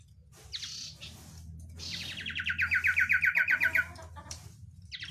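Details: Sirtu-style song of an Oriental white-eye: scattered high squeaks lead into a rapid two-second series of clipped, descending chirps, followed by further short squeaky notes.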